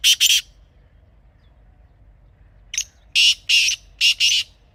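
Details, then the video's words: Kala teetar (black francolin), Pakistan, recorded outdoors: two loud harsh notes close the previous phrase, a pause, then a complete call of a short note and four coarse buzzy notes in pairs. "Real Kala Teetar Sound"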